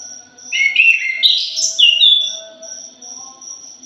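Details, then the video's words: Thrush, locally called punglor jali, in a lure recording: a rich, warbled phrase of sliding whistles and buzzy notes lasting under two seconds, over a steady high insect pulsing in the background. "PANCINGAN PUNGLOR JALI JOSS....\ JALIMIN BRISIK"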